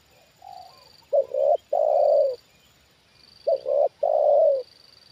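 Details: A trained decoy spotted dove, lowered among wild birds for the second time, reacts with two mellow cooing phrases about two seconds apart, each two short notes then a longer drawn-out coo, over a faint high steady whine.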